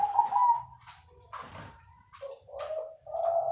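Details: Crossbred zebra dove with a soothing voice cooing in a series of short, rounded notes separated by brief gaps, plus a few soft clicks and a low background hum.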